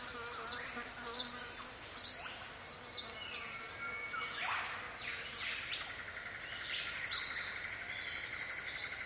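Paradise riflebird giving loud, harsh, rasping calls in scattered bursts over a dense morning chorus of other birds and buzzing insects.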